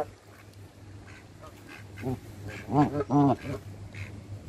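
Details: Canada geese fed by hand: after quieter notes, three loud, rich honks come close together in the middle, over a steady low hum.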